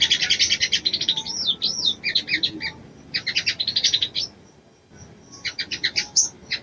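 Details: Female ruby-cheeked sunbird calling to excite a male: fast chattering chirps mixed with several looping up-and-down whistles, repeated bursts of high tweets, a quiet gap of nearly a second, then another rapid chirping series.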